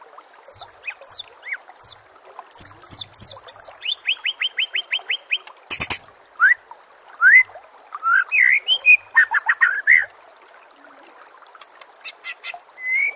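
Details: Captive-bird training audio of white-rumped shama song: high thin downslurred notes, a fast trill of repeated chips, a loud sharp crack, then mixed warbled phrases and a rising whistle.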